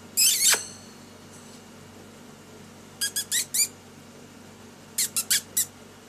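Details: A pet lory during its daily activity, playing and singing, gives one long harsh screech, then two quick bursts of three or four shrill, scratchy squawks, with a quiet room hum beneath.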